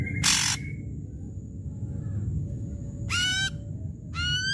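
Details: Loud ashy drongo song used to lure silent drongos: one harsh rasping burst, a pause, then two ringing, downward-curving harmonic notes spaced about a second apart, with low background rumble.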